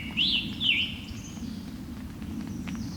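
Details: A Scarlet Tanager, possibly an earlier, clearer recording added alongside an Allegheny National Forest walk, gives two hoarse, burry, robin-like phrases in quick succession. Then come faint distant bird notes over a steady low rumble.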